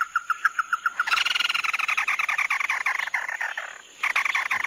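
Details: Tí nỉ song of the chim mắt đỏ. A quick run of clear repeated notes leads into a loud, dense, buzzy rattling trill lasting about three seconds. After a brief drop, the trill resumes. A faint high steady tone is present.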